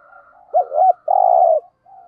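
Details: Spotted dove in the 'thổ đồng' calling style: two short coos followed by a long level coo, with faint cooing from another dove before and after.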